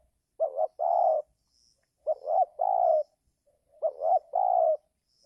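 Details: Mellow spotted dove calling, used as a trapping lure for wild birds during giring season: three even phrases of a short stuttered double note and a drawn-out level coo, separated by brief pauses, faint thin chirps above.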